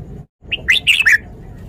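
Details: Single phrase of Red-whiskered bulbul song, style เม็ดก๋วยจี๊หก, used to train young birds: four quick bright whistled notes, rising then falling, over faint low hum.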